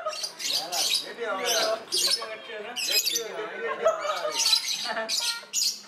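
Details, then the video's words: Singing lovebird in breeding condition, captive-bred: a busy stream of harsh squawks and sharp high chirps, with wavering chattering notes running between the louder bursts. "Love Birds Voice When It Is On Heat"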